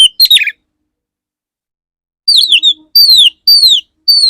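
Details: Male Oriental magpie-robin singing to court a female: a quick burst of sharp chirps, a silent gap, then four loud, bright whistles, each sliding downward, repeated roughly every half second.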